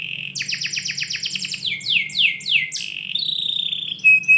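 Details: Indoor canary in the morning, singing a quick rattling series of short notes, then four loud falling slurred whistles followed by a level whistled tone and a brief high note.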